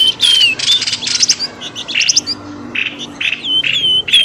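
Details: Noisy bird call used as a lure to pull birds out of bushes. Dense, scratchy chirps mix with high whistled notes that rise and fall, and rapid bursts repeat almost without pause.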